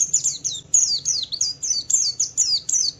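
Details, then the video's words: Javan white-eye in Wiklus Wiksar ngalas song to set off other white-eyes: loud, evenly spaced downslurred high notes, about three per second, each a quick bright sweep. "Suara burung Pleci Wiklus Wiksar memancing Pleci lain cepat cepat bunyi gacor"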